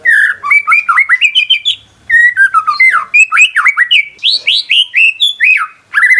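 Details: White-rumped shama singing, used to provoke a silent bird into song: a loud rich medley of slurred whistles rising and falling, rapid varied phrases with short pauses, full and continuous.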